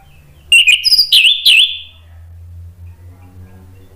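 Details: Orange-headed thrush in ngeplong song, used to stir other birds to respond: three loud, wavering whistled phrases in quick succession, then a low background hum.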